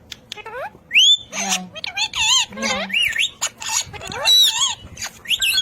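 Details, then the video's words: A pet ring-necked parakeet talking: rapid strings of warbled, speech-like syllables with swooping rising and falling whistles and short squawks, loud and close. "Raw Parrot Talking Video"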